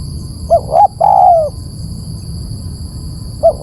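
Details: Spotted dove calling as a lure: one full phrase of two clipped notes and a long falling coo, then the start of another. A constant low rumble and a thin high tone run throughout.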